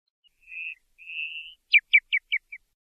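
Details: Nightingale singing: two long, steady, swelling whistled notes, then five short, sharp, descending chirps in quick succession; clean recording with no other sounds.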